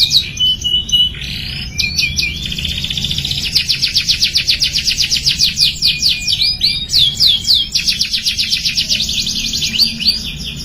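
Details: Young canary learning to sing, delivering a high, fast song: a few sliding whistles, then long runs of rapid repeated trill notes, about four per second, switching between phrases with brief pauses.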